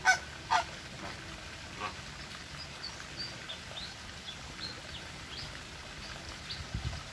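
A flamingo gives two loud, nasal, goose-like honks in quick succession, followed by a few fainter, scattered calls over a quiet background hiss.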